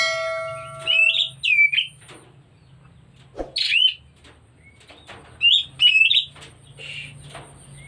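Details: White-rumped shama in breeding condition, short bursts of high whistled and hooked notes with a harsh rasp and a faint thump, between quiet gaps over a low hum.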